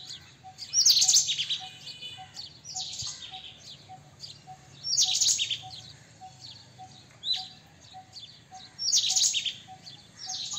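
White-throated kingfisher giving loud, shrill chattering bursts about every four seconds, with a faint steady ticking sound and low background hum.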